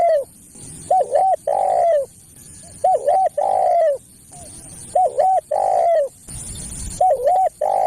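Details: Spotted dove call used as a lure for other doves: repeated three-part phrases of a short note, a double-humped coo and a long, slightly rough falling coo, about every two seconds.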